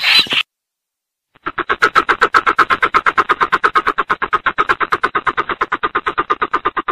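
A greater coucal gives a fast run of deep, resonant hooting pulses, about eight a second and steady in pitch, after a brief burst of noise.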